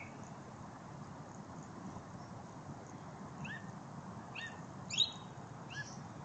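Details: A thrush sings a few short, high, slurred notes in quick bursts over a steady low background hum, recorded 04-01-14.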